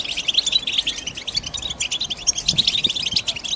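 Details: European goldfinch singing batbata-style twittering, a fast, unbroken chatter of bright, chirping high notes with steady background hiss.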